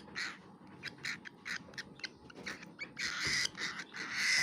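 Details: Baby cockatiel taking food, making short scratchy bursts at irregular intervals that build into longer, louder harsh rasps toward the end.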